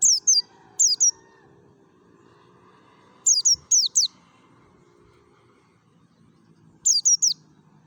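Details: Merapi mountain white-eye giving forest-style 'ngalas' song meant to prompt other white-eyes: piercing high chirps falling in pitch, delivered in quick pairs and triplets, with long quiet gaps between bursts.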